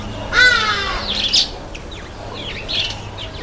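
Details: A Red-headed finch taking a bath gives one harsh, nasal, buzzy call of about half a second, followed by several short, thin chirps and quick rising whistles.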